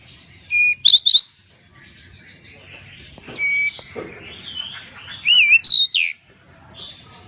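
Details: Pied bushchat in full, lively song for tutoring: sharp doubled chips, flat whistles and wavy looping slurs in uneven bursts, with quiet gaps between phrases.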